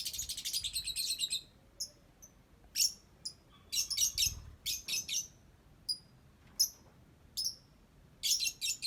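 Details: Lovebird song: a long grating chatter at the start, then bright, shrill chirps and clustered squeaky bursts repeated irregularly across the recording.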